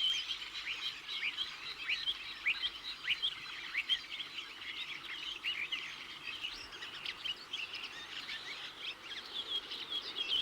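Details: Redwings, winter visitors and passage migrants to Britain from Iceland and northern Scandinavia, give many thin, high, seeping contact calls in an overlapping flock chatter with quick chirps and squeaks, over faint background noise.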